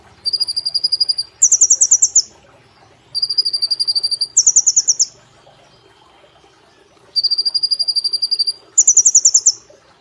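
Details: Brown-throated sunbird kept as a cage bird, on an Indonesian training recording, delivering 'nembak platuk cililin' song: paired bursts of rapid high notes, a level trill followed at once by a higher, brighter one, repeated about every three seconds.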